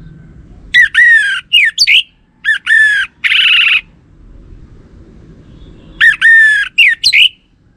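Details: Orange-headed thrush lure recording for prompting males to respond: harsh, buzzy, rich-toned notes in short bursts, including a rasping longer note, then a pause before another burst of three.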